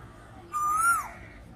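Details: Single clear whistled note from an Asian koel, loud and rising gently before falling away at the end, about half a second long, against quiet background.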